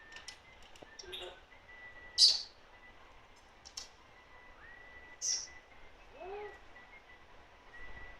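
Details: Pet African grey parrot producing flat held whistles, one rising into a higher note, mixed with loud sharp clicks and short chirps, and a brief falling nasal note near the end.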